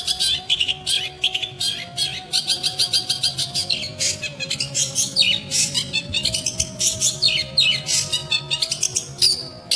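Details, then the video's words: Long-tailed shrike song: irregular runs of sharp, high chattering notes in short clustered bursts, some scratchy, over a constant faint tonal hum. "BURUNG PENTET"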